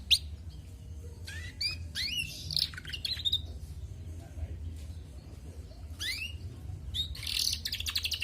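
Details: Female canary giving scattered song phrases: separate upslurred whistles, short chirps and brief trills spaced by quiet gaps, ending in a denser burst of high twittering.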